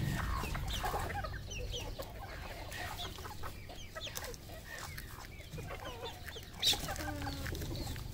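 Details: Red junglefowl on a farm in Cambodia cluck in short, clipped notes from many birds at once, scattered at an uneven pace, with a low rumble of farmyard noise underneath.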